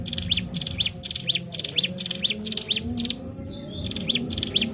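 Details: Lure song of a Sunda warbler (ciblek gunung) for training birds: quick clusters of shrill chirps and down-slurred notes repeating steadily, one brief whistled slide mid-way, faint low background noise.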